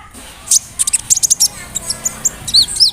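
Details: Sunbird, locally called kolibri ninja (konin), in a rolling song with fill-ins of cricket, cililin, sparrow and cerr sounds, played to provoke a bird to sing: a quick series of very high, sharp chirps and short whistled notes, with faint background hiss.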